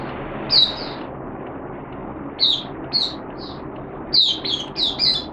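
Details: Malaysian Oriental white-eye (mata puteh), a caged bird, giving short bursts of high, thin twittering notes separated by pauses, ending in a quicker cluster of chirps, over steady low background hiss.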